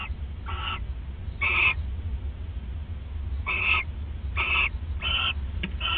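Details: Owls bonding at a nest in the early hours of December 29, 2014; six hoarse, breathy bursts at irregular gaps, some stronger and longer than others, with a constant low droning hum beneath.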